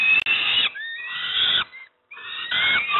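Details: Peregrine falcon young given breakfast at Moszna, Pruszków, Poland, give a rasping scream, then shorter wheezy squeals with a brief gap, and resume harsh screeching.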